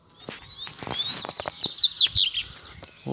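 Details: Caged male Double-collared seedeater (coleiro) calling two free birds to fight, singing bright high phrases of quick upslurred whistles and buzzy notes with some knocks and handling sounds.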